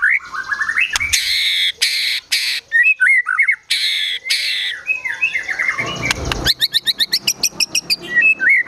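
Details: White-rumped shama in agitated song, murai batu gacor emosi style with mimicry: rising whistles broken by loud harsh buzzy rasps, then a fast run of sharp repeated chips.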